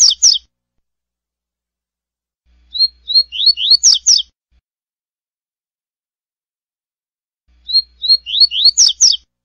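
A double-collared seedeater sings its classic tui-tui phrase, a quick run of sweet, high whistled notes ending in a sharp flourish, repeated about every five seconds against a quiet background.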